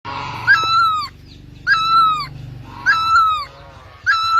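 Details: Great barbet singing: loud, nasal two-part notes, each a steady tone that bends downward at the end, repeated roughly every 1.2 seconds, with a low rumbling hum underneath.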